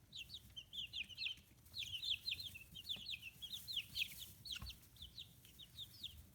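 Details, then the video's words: Fifteen-day-old chicks, feathers starting to grow, raised free-range in Kitahiroshima, Hiroshima, Japan: a dense chorus of high, short peeps and chirps, several birds overlapping continuously, with occasional soft knocks in the background. "Chicks Chirping Sounds"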